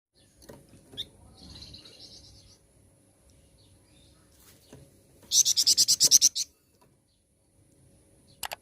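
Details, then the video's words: A flowerpecker gives a thin hissing phrase, then a fast burst of about ten high, sharp ticking notes in one second, with faint background noise. "Pancingan Burung Flamboyan"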